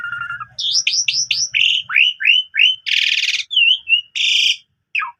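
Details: Asian pied starling performing a lively morning song full of mimicry: a series of quick rising-falling whistled notes, repeated chirps, a loud harsh buzzy burst and a final falling whistle.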